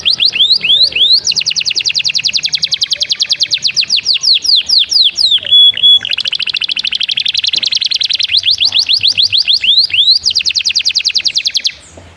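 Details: Canary in full song, loud and continuous: fast rising chirps run into long rapid rolling trills, one pure steady whistle in the middle, then more trills and rising slurs, ending abruptly.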